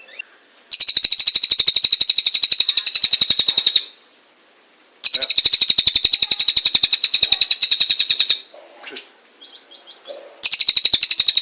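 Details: Cililin in full song, a recording offered as master song for training magpie robins, leafbirds, white-rumped shamas and other songbirds: long, rapid, high buzzy trills of evenly spaced notes lasting about three seconds, broken by short pauses and softer chips.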